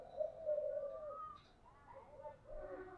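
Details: Spotted dove cooing in giọng đồng style: a sustained low, level coo, then softer, wavering coo notes over a steady background hiss.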